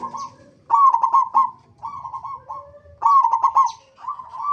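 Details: Local zebra dove singing as a lure for other zebra doves. Stuttering coo bursts alternate with softer rolling trills, while a lower steady tone sounds faintly in between.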